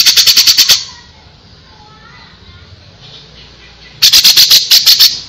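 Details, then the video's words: Loud, fast, evenly spaced harsh notes of a grey-cheeked bulbul in two bursts of about seven beats each, with a near-silent gap between them. "suara burung cucak jenggot // cucak jenggot gacor masteran burung cucak jenggot"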